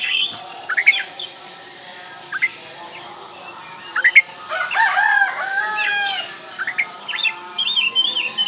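An Oriental magpie-robin sings a varied run of sweet whistles, rising slurs and rapid chattering phrases, with short pauses between bursts.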